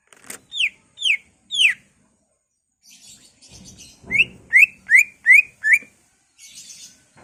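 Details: Greater green leafbird provoking other leafbirds with its ngentrok song full of isian. Three falling whistled notes, a soft chattering pause with a low rustle, then five rapid, evenly spaced rising whistles, and faint chatter at the end.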